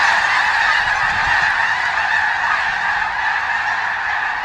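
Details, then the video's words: Large, loud flock of snow geese at Iona Beach, British Columbia, recorded through a shotgun microphone: an unbroken wall of massed honking and yelping, hundreds of overlapping calls blending into a roaring chorus. "Birds of bc Iona beach snow geese"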